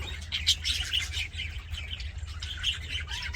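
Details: Cheerful budgerigars keep up a rapid, continuous warble of grating chirps and brief whistles, with a soft rising whistle near the close and a low droning hum underneath.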